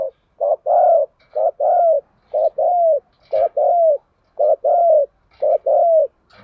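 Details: Decoy spotted dove, a caged bird, cooing to lure wild ones. Steady rhythmic series of six low coos, each a short note then a longer falling hum, repeated roughly once a second.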